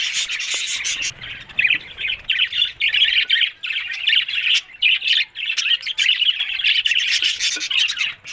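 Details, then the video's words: Budgerigars recorded October 1 chatter in bursts of scratchy, high warbling and squawks, separated by very short breaks, giving a choppy, lively rhythm. "Beautiful Budgerigars Talking"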